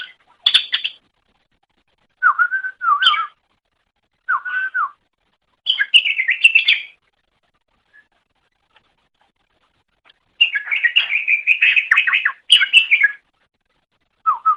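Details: Green leafbird (cucak ijo) chattering song from a long master recording for training songbirds: bursts of bright, warbled and whistled phrases with short silent gaps, one burst after another, no other sounds.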